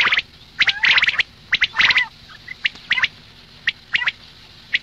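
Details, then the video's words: Female common quail uttering quick sharp high chirps and harsher rasps in clusters, tapering to sparse single clicks toward the end. "Madi batair ki awaz suba ke liye مادی بٹیر کی آواز"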